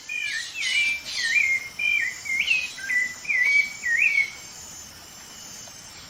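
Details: Rufous-bellied thrush from Brazil sings a steady series of short whistled phrases, each a quick up-and-down slur, repeated roughly every half second for about four seconds before falling silent under soft background hiss.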